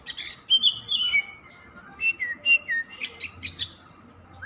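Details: Oriental magpie-robin singing a string of sweet, sliding whistles, some long and falling, followed by a quick burst of high chirping notes and more short whistles.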